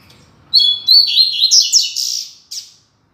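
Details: Double-collared seedeater (coleiro) singing the classic 'Tui Tui Zel Zel' song style, used as a tutor recording for training young coleiros and papa-capim; a rapid, loud burst of high twittering, buzzy notes lasting about two seconds, then one short closing note.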